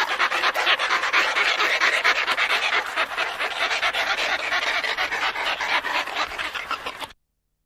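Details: Two Antarctic petrels call between themselves in a colony at Scullin Monolith, Antarctica, heard close: a dense, rasping run of fast pulsed cackles that holds steady, then cuts off abruptly into silence near the end.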